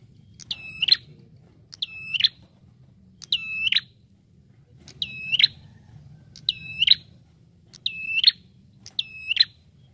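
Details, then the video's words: Bar-winged prinia in a lure (pikat) recording giving a steady series of seven bright, level whistled notes, each ending in a quick upward twist, about one and a half seconds apart. "SUARA PIKAT Burung Prenjak Tamu Gacor D0orrr"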